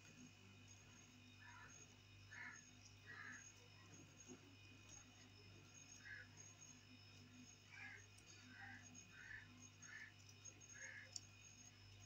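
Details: Black francolin, known locally as kala teetar, calling: a series of short, harsh, grouped notes in two bouts with short pauses between, heard at a distance over a steady low hum.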